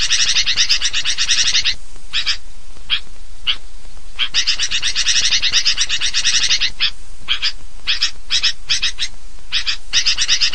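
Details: Sooty-headed bulbul chorus used to attract birds: long passages of dense, harsh chattering separated by shorter runs of individual sharp notes.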